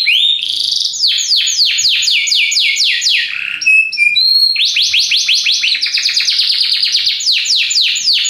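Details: Belgian canary delivering a strong, unbroken song of rapid falling sweeps repeated several times a second, a short pause of whistled tones, then another long run of fast sweeps.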